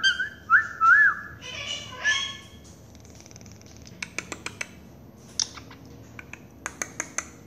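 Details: Indoor pet Quaker parakeet calling out for its owner: two looping whistled notes and a brief harsher burst, followed by quiet with a series of sharp clicks and taps.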